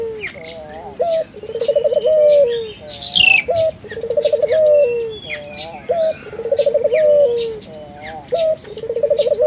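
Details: {'caption': 'Collared dove call meant to draw local doves into calling: steady repeated low coos every two seconds, short note then rolling trill, with faint chirps of other birds behind.'}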